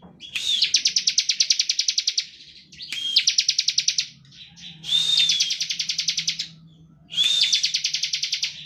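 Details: Bar-winged prinia pouring out rapid 'ngebren' song, used to provoke song from other prinias; four long bursts of fast, even high chirps, each led by a clear rising whistle, over a faint low hum.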